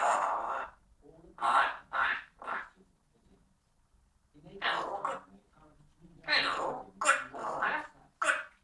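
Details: Pet parrot chatting for a while: bursts of harsh, speech-like chatter of a half second each, grouped in runs of three or four with short pauses between, some strained whimper-like tones.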